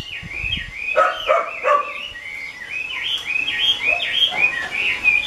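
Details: Caged Chinese hwamei singing rapid looping whistled notes, rising and falling slurs strung together at a fast pace, with a few louder lower notes early on.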